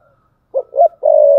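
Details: A caged decoy spotted dove gives a thúc bổi coo: a brief soft note, then two throaty clipped syllables leading into a drawn-out level coo. The phrase ends abruptly with a click.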